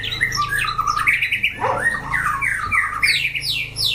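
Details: Caged white-rumped shama, tested for fighting in a 'chảo lửa' setup: dense, fast stream of chattering, harsh and whistled notes with downward sweeps, several phrases overlapping continuously.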